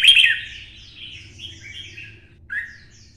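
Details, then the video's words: A red-whiskered bulbul with a 'twisted voice', urged into full fighting song, opens with a loud bright burst, then runs soft rolling warbles and ends on a short slurred downward note. "CHÀO MÀO | Giọng xoắn - Kích chim xổ bọng căng lửa hót đấu"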